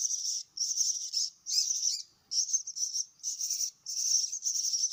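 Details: Feeding of myna chicks: high, hissing, trilled begging bursts of roughly half a second to a second, separated by clear short silences.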